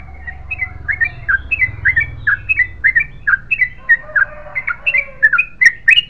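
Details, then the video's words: Yellow-vented bulbul in chatty, non-stop 'ropel panjang' song, a stream of liquid, gurgling notes about three to four per second, slightly softer, over a low rumbling background. "BURUNG TRUCUKAN GACOR ROPEL PANJANG"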